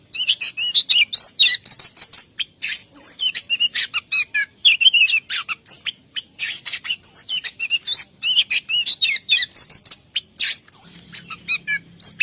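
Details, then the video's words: Continuous rolling 'ngerol' song of an oriental magpie-robin, stuffed with imitated phrases: long run of varied whistles, upslurred notes, rapid chips and trills at a steady, relentless pace, with a faint low hum near the end. "kacer gacor ngerol isian apa y?"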